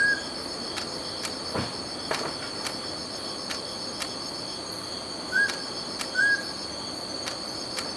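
Mountain scops owl giving short, clear whistled notes, a pair about a second apart, over steady high insect trilling and scattered clicks.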